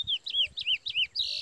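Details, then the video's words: Chestnut-bellied seed finch (curió) males in a singing fight, one a brown 'pardo' bird: clear whistled phrases, each a wavering slur, repeated about four times a second, with faint low rustling underneath. "Curió Parazão brigou cego no 1° Round - 2° Round finalizou o Curió Pardo"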